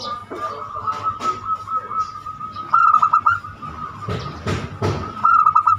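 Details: Zebra dove singing the banyumili style, meant to prompt other doves to sing: two rapid trilled cooing bursts separated by a few seconds, with sharp knocks and clicks in between.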